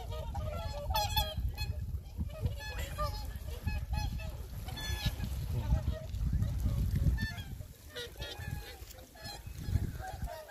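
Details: A flock of swans on the shore of Lake Kussharo, Teshikaga, Hokkaido, calls over one another with overlapping, bugling honks, several each second, over a steady low rumble of wind or lapping water, with faint voices of nearby tourists.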